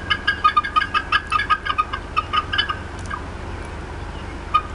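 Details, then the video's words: Disturbed female bald eagle at the Decorah North nest, 4:23 PM CDT, 18 April 2016: a fast string of loud, clipped piping clucks, pausing briefly before one final note, with low hum beneath. "MOM UPSET & CLUCKING A VERT LONG TIME"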